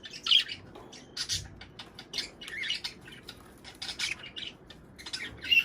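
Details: Budgerigars chirping and squawking in bright, clipped bursts, a breeding-stimulation recording; busy irregular twitter with a few piercing whistled notes near the start and close.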